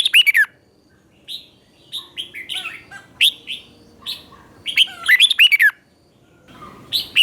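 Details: Red-whiskered bulbul doubled master song for young birds to learn: scattered fluty notes building into a loud, cascading phrase of swooping whistles, then silence and one last note.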